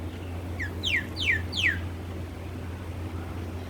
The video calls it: Maina | making sound